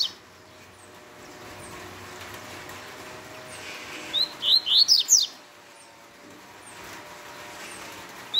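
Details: A double-collared seedeater gives one rapid Tui Tui phrase of about six high, rising, whistled notes in just over a second, set in a long quiet stretch with faint background hiss.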